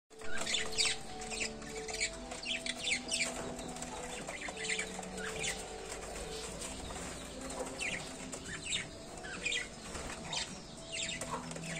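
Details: Pet budgerigars eating boiled rice chatter with quick, scratchy chirps and warbles over a low steady hum.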